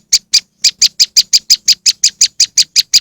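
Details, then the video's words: Bird lure of a moss wren: short bright chip notes in quick succession, two opening notes, a short pause, then a steady run of about three per second, with a faint low hum beneath. "powerful moss wren bird lure sound"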